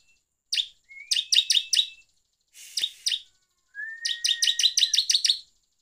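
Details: Bar-winged prinia song, used as a lure to provoke other prinias: bursts of loud, rapid, buzzy chirps in short repeated series, each about a second long, with thin rising whistles in between.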